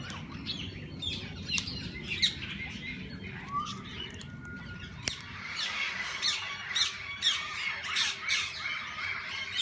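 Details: Parakeets of various kinds inside a walk-in parrot zoo aviary: scattered chirps at first over low rumble, then a dense burst of rapid, squeaky, overlapping twitters and squawks from many birds, with a sharp click midway.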